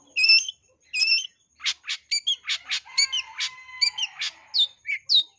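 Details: Long-tailed shrike lure song from a bird in breeding condition: two bright harmonic chirps, then a rapid varied series of high notes over a long steady low whistle.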